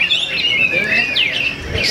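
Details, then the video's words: Kapas tembak singing at a bird singing competition, a long run of clear whistled phrases that glide up and down, with a sharp rising note midway, over a steady background of other birds chirping. "Kapas Tembak Avatar 69 Juara 1 Di LatPres SJB Comando"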